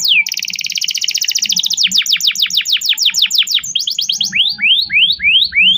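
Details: Canary song used as a lure to teach a young canary to sing, fast rapid trills of high descending notes changing into slower rising sweeps, with a faint low hum.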